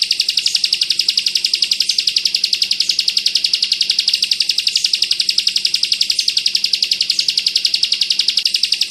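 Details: Continuous rapid chattering of a Bar-winged prinia, locally ciblek kristal, in the bren rapat ak 47 manner used to tutor white-eyes: bright, buzzy high notes repeated without a break at close, regular intervals.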